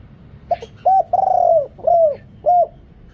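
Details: Decoy spotted dove with a big, deep voice used for luring wild birds; a soft short note, then a clipped coo, a long sustained coo and two curved falling coos in steady succession, background quiet.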